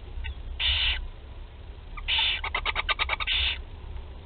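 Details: Barn owl chicks at Théding, France, at their first feeding on 8 July 2020: harsh hissing screeches, then a rapid series of short clicking, chittering notes before another long rasp.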